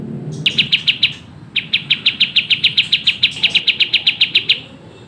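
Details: Sooty-headed bulbul singing vigorously at a rapid, close-set tempo: a short run of four sharp chirps, then a long steady string of about eighteen identical bright notes.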